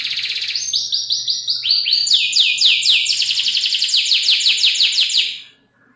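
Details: Canary performing a luxurious, long-delivery song to tutor other birds: buzzy trills climb in stages, followed by a run of quick descending slurs repeated several times a second, fading out at the end.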